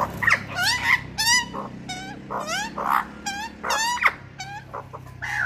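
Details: Australian magpie family, including a baby, visiting a balcony on a Sunday morning, carol for bonding and greeting in rich, fluting, warbled phrases of rising and falling notes, overlapping in quick bursts, over a faint low hum.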